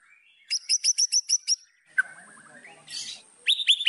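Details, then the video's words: White-rumped shama singing to provoke opponents: a quick series of seven sharp high notes, a descending stuttered run, a brief noisy burst, then bright high repeated notes. "MASTERAN MURAI BATU. AMPUH PANCING EMOSI LAWAN"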